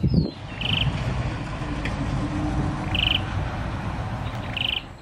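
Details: Cambodian tailorbird, endemic to the Phnom Penh area, Cambodia, with 4-5 birds present, giving three short, buzzy trilled notes, high-pitched and spaced a second or two apart, over a steady low rumble of distant traffic.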